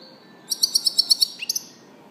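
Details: European goldfinch giving a crisp, evenly spaced series of about seven high ringing notes, followed by a short rising slur and two final chirps.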